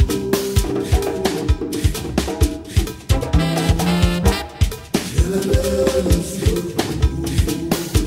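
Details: Lively salsa-style music with percussion, bass and horns plays throughout, and no animal can be heard.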